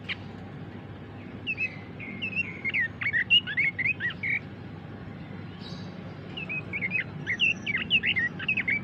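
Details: Pekin robin delivering two rapid warbled phrases of twisting, slurred notes, the second starting after a short gap, with a low constant hum underneath.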